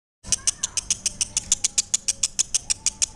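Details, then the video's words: Lovebird singing: a fast, steady run of sharp, high, buzzy chirps, about six per second, continuing without a break after a short silent start. "Suara Asli Lovebird PESANGON"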